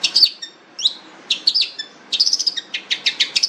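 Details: Long-tailed shrike in full song: high whistled slurs and a rising swoop, a short pause, then a rapid run of scratchy, chattering notes tumbling together.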